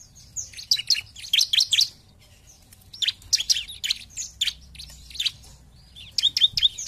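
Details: Bar-winged prinia 'ngebren' song: dense clusters of shrill, rapidly repeated high notes, a pause of about a second, then further bursts.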